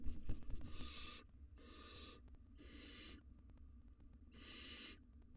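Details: Wild barn owl nestling in a nest box producing a quick series of four breathy, snore-like hisses, each lasting well under a second, with light scratching at the start.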